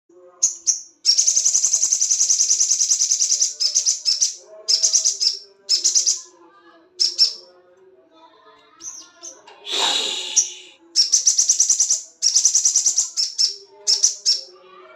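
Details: Crested jay in breeding condition giving mating calls: long, harsh, high-pitched rattling trains lasting up to two seconds, broken by short bursts and brief pauses, with a noisy broadband burst near the middle and faint low tones beneath.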